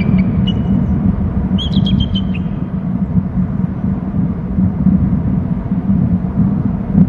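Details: Bald eagle at a nest and territory on Hornby Island, flying in from the left, giving a brief high, stuttering trill of sharp chittering notes early on, then a steady low rumble of wind or noise.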